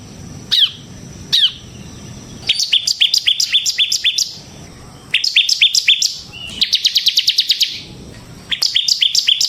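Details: Semi-gacor bar-winged prinia singing ngebren, used as a lure and model for other birds: two isolated sharp notes, then repeated bursts of fast high chirps, one a dense buzzy trill-like run.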